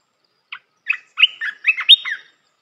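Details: Red-whiskered bulbul song used for training young birds: a single short note, then a lively phrase of warbled, bubbly whistles between mid and high pitch, rising at the end, lasting under two seconds in a quiet setting.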